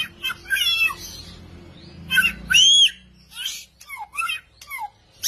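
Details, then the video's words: Unfamiliar bird with a song described as frightening: irregular bursts of harsh, raspy notes mixed with sliding whistled phrases, separated by short quiet gaps, over a faint low hum. "Loài chim lạ có giọng hót đáng sợ"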